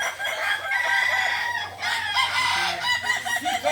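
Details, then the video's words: Kukuak balenggek rooster crowing at a crowing contest in Ampang Kualo, Kota Solok: a loud, long, rich harmonic crow broken into stepped syllables, with a second crow following closely. "Latberan ayam kukuak balenggek di ampang kualo kota solok"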